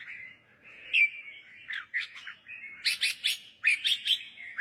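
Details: Short red-whiskered bulbul singing bout, played to train young birds or liven up birds: a soft whistled start, then a rising sequence of sharp, bright chirped notes.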